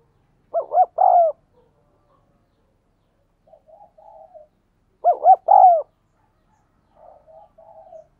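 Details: Spotted dove cooing in the 'thúc gù' manner used to train decoys and attract wild doves: two phrases, each of two brief hoots and a drawn-out descending coo, separated by soft, low muttered notes; no other sounds.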